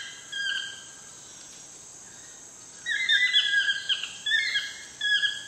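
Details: Toucan at sunset in Costa Rica: a brief croak, then a run of harsh, rasping notes in quick bursts over the last half, set against a steady high insect drone.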